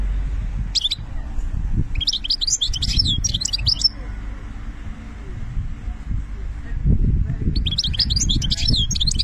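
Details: Algerian European goldfinch in benna song style, giving two fast bursts of liquid, twittering high notes with jangling trills, separated by a quiet pause, over low background hum.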